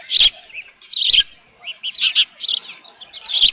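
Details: Osprey at the nest, 13 June 2018, late morning, with left over fish; loud, harsh high chirps come in bursts, separated by brief gaps and short quieter chattering notes.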